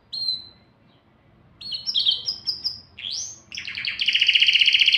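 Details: Canary singing to excite mates for breeding: an isolated short whistle, quiet pause, then bursts of high trills building into a loud, fast, even rattle.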